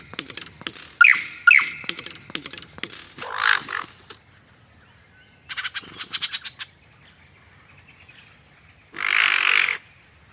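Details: Superb lyrebird song: a varied sequence of separate phrases, including sharp downslurred whistles, a short rattling burst, a buzzy chatter and a loud harsh noisy blast near the end, with quiet pauses between.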